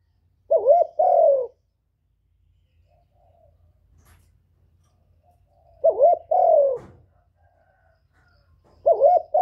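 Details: Spotted Dove kept as a decoy, singing to make other caged doves coo: three full phrases, each a quick looping coo then a longer falling coo, repeated roughly every four seconds with near silence between.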